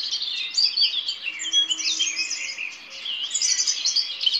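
A European robin sings a continuous, liquid warble of high thin notes, rapid trills and sliding whistles, with no other sounds behind it.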